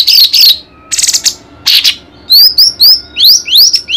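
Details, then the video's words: White-rumped shama tutor song for training contest birds: a few buzzy warbled notes, then a string of clear whistled slurs rising sharply in pitch, repeated about twice a second. "MASTERAN MURAI BATU"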